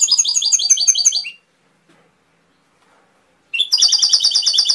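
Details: Canary giving a quick high trilled phrase, then two seconds of silence, then another rapid rolling trill.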